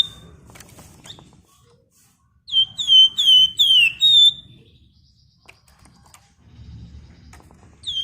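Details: Flamboyan bird singing vigorously in the dense, rapid 'ngebren rapat nyerecet' style: a short run of five loud, clear whistled notes, each sliding downward, delivered in quick succession after quiet, faint low background rumble.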